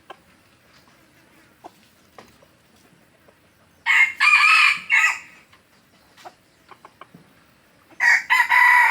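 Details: Red junglefowl from Aceh, recorded as an original lure call: two loud, harsh, broken crows, one near the middle and another at the end, separated by quiet with scattered faint clicks.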